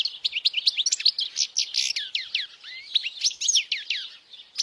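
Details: Loud European goldfinch song played so young goldfinches can learn it: rapid tinkling chirps and rising and falling slurred whistles pour out without pause, bright and high-pitched throughout.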